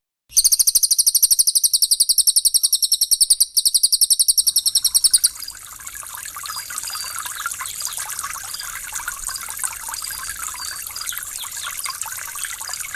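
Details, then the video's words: Close-fire 'tembakan rapat' training song of Cililin or Pelatuk Bawang for kept songbirds: about five seconds of quick, high, ringing chips in a steady stream, followed by the gentle trickle of running water for relaxation. "TEMBAKAN RAPAT CILILIN VS PELATUK BAWANG"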